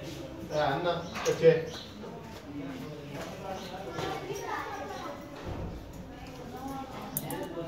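A ring-necked parakeet chatters in speech-like mimicked words, a run of short voiced phrases with a few sharper clicks, indoors.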